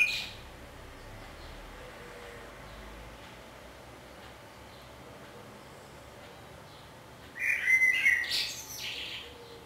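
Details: Common blackbird singing in Budapest on 27 May 2014, recorded from a window hide: after a long quiet stretch it gives a single brief phrase of fluty notes ending in a high, scratchy twitter.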